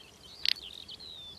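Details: A male Little Bustard in spring courtship on the steppe gives its mating call, one short, dry, snorting 'prrt' likened to a fart and able to carry over a kilometre. It is abrupt and rasping, over faint thin whistles and a quiet outdoor background.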